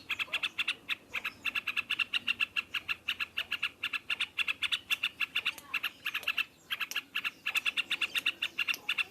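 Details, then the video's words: Yellow-vented bulbul singing loudly in the rapid rolling "ngropel" style. Fast, evenly pulsed bright notes repeat several times a second, with only brief pauses. "Burung trucukan ngropelpelpel keras"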